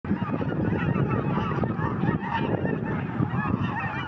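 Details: A flock of cackling geese taking off and flying fast. Many short, high-pitched honks and yelps overlap without pause in a dense chorus, with a low rumble of wings and wind beneath.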